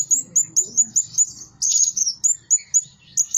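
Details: A decoy Blue-crowned hanging parrot, said to call tirelessly day and night, repeats a piercing, very high tsee note about four times a second, with one brief burst of rapid chatter midway.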